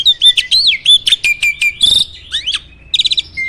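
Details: A prized contest starling from Indonesia mixes sweet whistles, wavering slurs and a steady held high tone with sudden buzzy bursts and a fast trill near the end, a filled song style praised for roll, shot and speed.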